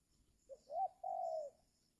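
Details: Spotted dove used as a decoy to lure wild birds during the giring season, when wild birds are reluctant to come down; one phrase of a short low note and then a long, smooth, slightly falling coo.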